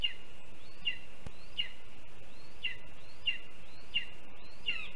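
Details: A lesser spotted eagle chick on its nest, filmed by a live nest camera on 7 July 2022, begs for food while waiting for its mother's return to eat a mole its father delivered: thin, high, down-slurred peeps repeated about every 0.7 seconds.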